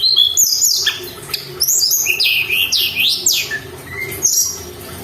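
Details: Mountain tailorbird in full song, played to provoke other birds. Loud, high, ringing whistles sweep up and down in arched phrases. Rapid notes run together, then a few isolated chirps.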